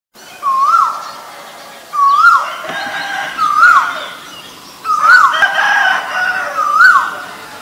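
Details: Asian koel giving five loud, clear whistled notes, each rising sharply then dropping, spaced about one and a half seconds apart, with a faint hum of background noise between calls.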